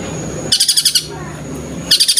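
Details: Long-tailed shrike copying tengkek buto calls: two short bursts of quick, harsh, evenly pulsed notes separated by about a second of near quiet.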